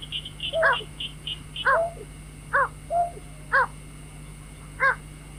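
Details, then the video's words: White-breasted waterhen calls played as a lure for night bird trapping: loud harsh stacked notes repeated about every second, some with short lower bent notes, over faint high chirping and a steady hum. "tiếng chim vẽ Dung cuốc"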